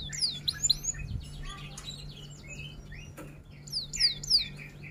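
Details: F1 canary tutor song in roll-and-'tembak' style: lively mix of bright rising whistles and quick chirps, uneven in rhythm, rather quiet overall.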